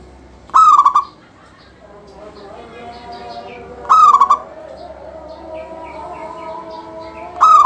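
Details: A local zebra dove keeps up its song, a recording used to get other doves singing. Three brief phrases give a sharp start and then a rippling, stuttered coo, repeated about every three and a half seconds over faint chirps.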